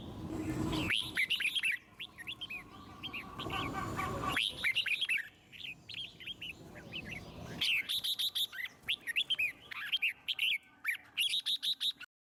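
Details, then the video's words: Red-whiskered bulbul song used to stimulate other birds to sing: repeated bouts of clear, bubbly whistled notes, fast and jumpy in pitch, separated by brief pauses, with more than one bird chiming in. "Chim Chào Mào Hót Hay - Giọng Rừng Cực Đỉnh | Kích Thích Chim Hót Căng"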